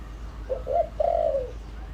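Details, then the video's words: Spotted dove cooing as a lure call for wild doves: two short low coos followed by a long, smooth, slightly falling coo. "tiếng chim cu gáy mồi đủ bài gọi thúc gù giọng hợp Bổi kích bổi nhanh nổi"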